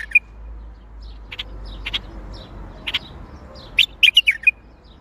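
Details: A bulbul gives Baghdadi-style song: scattered soft chirps, then a loud, rapid flourish of bright, bubbling notes near the end.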